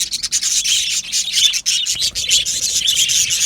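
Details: Australian budgerigars in an aviary colony, happy singing and chirping: a dense, continuous overlapping warble of many high chirps and scratchy chatter with no pauses, over a faint low rumble.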